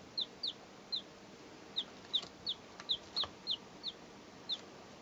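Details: Peeping from three chicks two days old, recorded in 2012: a steady run of a dozen short, high, falling cheeps every few tenths of a second over a low background hiss, with faint clicks between.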